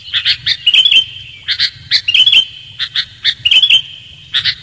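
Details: Sooty-headed bulbul call used as a bird lure: quick clusters of sharp chirps alternating with short liquid warbles, repeated roughly every second, with a constant high whine and low background rumble.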